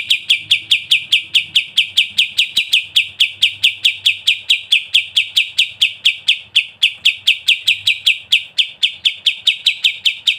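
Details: Unbroken ngebren trill from a sooty-headed bulbul, sharp buzzy notes pouring out steadily at a brisk, even pace for over ten seconds.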